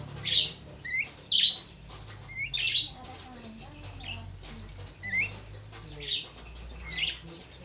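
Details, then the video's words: Calls from a pair of Javan mynas: harsh grating squawks mixed with short upslurred whistles, repeated irregularly, with faint softer chatter underneath. "sepasang burung jalak kebo"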